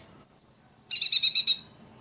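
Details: Brief ledekan phrase: two high thin whistles followed by a rapid rattle of about eight buzzy repeated notes.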